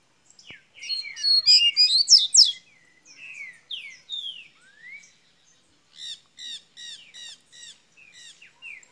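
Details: Double-collared seedeater from Minas Gerais, Brazil, opening its song: a loud burst of rapid high chirps and slurred notes, then falling whistled slurs and a run of short repeated chips, all clean and high-pitched.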